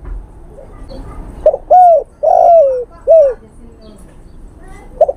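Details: Male spotted dove calling a female, recorded for luring: after a quiet start, a short hiccup and three rounded coos, the middle one longest and falling, then a faint closing note.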